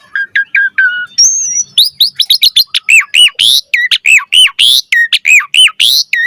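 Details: Energetic varied song of an Asian pied starling, recorded as training material for starlings: a few low whistles, then a fast run of bright, looping whistled notes and harsh chirps, repeated nearly once a second, clean with no background noise.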